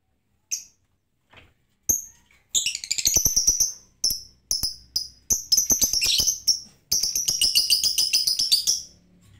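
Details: Lovebird giving its ticking 'ngetik' calls, unprompted by any lure sound: sharp high chirps, first spaced, then packed into fast rattling runs of clicks and squeaks lasting a second or two, with short pauses between bursts.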